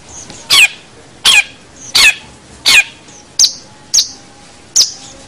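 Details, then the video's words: Long-tailed shrike recorded as a training master for other songbirds: seven harsh, rasping, broadband notes, each about a quarter second long and spaced roughly every 0.7 seconds, over a quiet background. "Masteran Suara Pentet Cendet"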